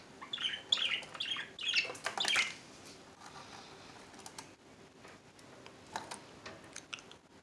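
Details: A pet budgerigar in Minnesota chatters in quick, scratchy chirps and warbles, then trails off into soft clicks.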